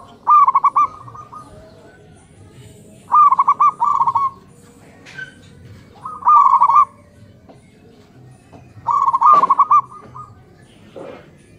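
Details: Morning exchange of local zebra doves, male and female calling back and forth. Four stuttering, bubbly coo phrases, each just under a second long, come about every three seconds over faint ambient noise.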